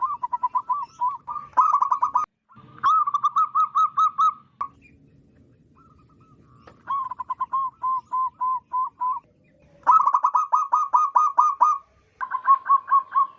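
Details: Wild local zebra dove, loud calling used as a lure for trapping: rapid bursts of stuttering, purring coos around mid pitch, each burst a run of quick pulses, separated by short pauses.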